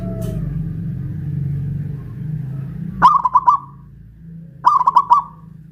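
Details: Zebra dove of local Pajajaran stock from Kuningan, West Java, kept hoisted on a pulley pole and singing loudly. Two staccato phrases of bubbling coos about 1.7 seconds apart, with a low rumbling background.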